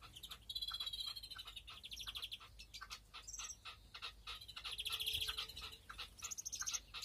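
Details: European greenfinches (Chloris chloris) breeding in an aviary flight cage, 2021, twittering with quick, high, buzzy trills and chirps that overlap throughout, along with dry clicks and rustling.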